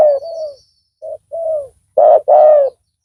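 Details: Spotted dove drawn in by a decoy: a soft, smooth falling coo sequence, then a louder, rougher paired coo from another bird.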